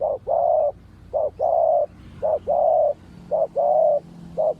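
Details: Decoy spotted dove from a Malaysian line in a ground trapping session, giving a steady run of paired calls, a short clipped coo followed by a long sustained one, repeated almost every second against a quiet background.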